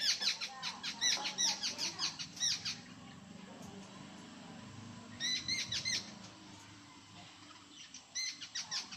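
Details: Harsh, grating chatter from a jungle babbler (kekati) in India's Konkan region, delivered in three rapid bursts of rough repeated notes separated by quiet gaps, with a steady low background hum.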